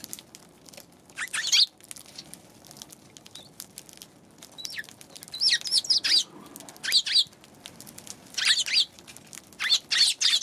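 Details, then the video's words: Eurasian tree sparrows heard on 11 January: loud clusters of sharp, high chirps come in bursts every second or two, with quieter rustling and faint tapping between them. "今日のスズメ １月１１日"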